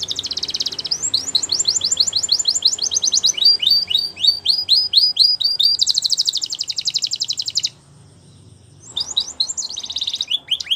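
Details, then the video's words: Belgian canary singing for training, a long varied song: rapid high trills, rows of falling whistled notes, a buzzy rolling tour, a brief silence, then more fast trilling phrases. "Canary Singing Champion For Training | Belgian Canary Song"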